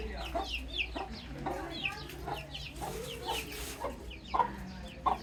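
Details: Baby chicks peeping in a relaxation nature recording: many short high chirps, often falling in pitch, overlapping in a busy irregular stream, with softer lower clucking notes and a steady low hum underneath.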